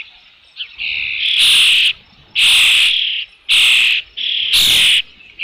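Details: Osprey at a nest holding fish, Dunrovin Ranch, 3 June 2018 late afternoon, uttering loud high squealing whistles, each close to a second long, given about once per second.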